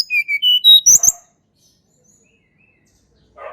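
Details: Tledekan gunung song, offered as a lure to get birds that rarely sing to sing: loud clear whistled notes stepping from high to lower pitch, then sharp buzzy chips, followed by silence and a faint rough note.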